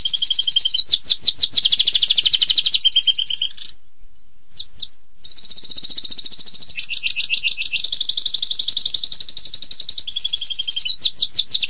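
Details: Canary singing in the long-duration 'tembakan pedas' style: rapid buzzy trills and sharp descending sweeps that switch pitch in blocks, with a brief pause near four seconds before the rattling phrases resume.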